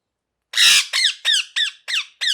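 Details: Parrot, a pet ringneck, opening with one broad raspy screech followed by five clear downslurred squawks about every third of a second, in a quiet room.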